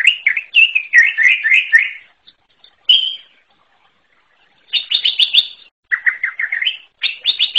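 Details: Forest-dwelling greater green leafbird delivering bursts of rapid chattering whistles, separated by short silences, with bright clipped trills and rolling slurred phrases.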